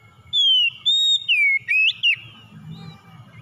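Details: Song of a white-rumped shama, played to rouse a stressed, silent bird into singing; five loud whistled notes, some falling, some rising and looping, packed into under two seconds over a soft low hum.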